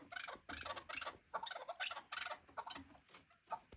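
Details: Chukar partridge chicks giving bursts of rough, chattering clucks in quick uneven groups, with a steady high background whine.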